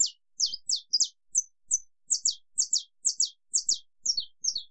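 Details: Saffron finch (Sicalis flaveola) singing a long clicking 'estalo' song: a fast series of sharp, high, downward-snapping clicks, about two per second, with no other sounds.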